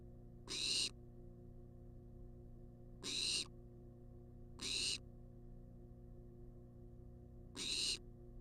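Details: Wild barn owl in a monitored nest box on a live camera, demanding food: harsh, hissing screeches of about a third of a second, repeated at irregular intervals of one to three seconds, over a steady low hum.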